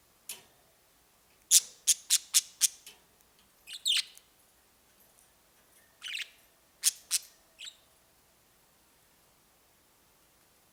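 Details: Budgerigars playing and flying give sharp, high chirps in a quick burst, then scattered squeaky, warbling notes.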